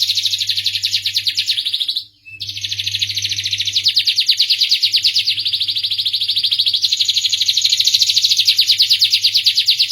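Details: Starblue canary singing a long, loud, fast trill with a brief break after two seconds, then continuing as a steady buzzy roll that rises slightly in pitch toward the end.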